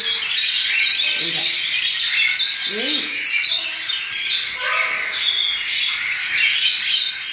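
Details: Cockatiel chicks recently out of the nest being hand-fed porridge, given 10 ml three times a day at this age; a dense, continuous high rasping hiss of begging, with brief short rising chirps and a human voice in between.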